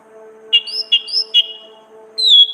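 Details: Orange-headed thrush, ngeplong ngriwik song for songbird training: three short sharp whistled notes about half a second apart, then a longer falling whistle, over a steady low tonal hum.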